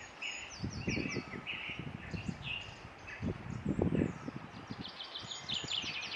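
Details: Eurasian treecreeper in Ross-Shire, Scotland, 22 April 2016, giving thin high-pitched song phrases of rapid, descending notes over steady low rumbling and rustling noise.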